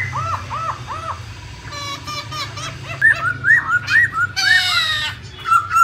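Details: Masked laughingthrushes in the wild give quick runs of arched, mellow whistled notes mixed with harsh chattering bursts, several birds overlapping. A low hum runs underneath.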